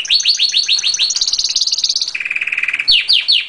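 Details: Canary song: loud series of rapid descending high chirps, then a steady buzzing high trill, dropping to a lower rolling trill, ending with more quick downslurred chirps.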